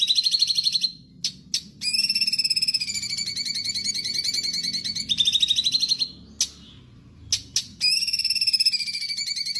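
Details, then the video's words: Sooty-headed bulbul (cucak cungkok), a lively 'gacor' master song for songbird training: bursts of fast high chattering trills separated by brief silences and sharp clicks. "Cucak Cungkok Gacor masih menjadi masteran pilihan utama Kicau Mania"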